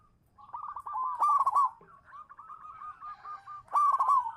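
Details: Champion local zebra dove used as a lure bird. Quick stuttering coos build into a loud rolling phrase, then a run of softer evenly spaced coos, and a second loud burst near the end.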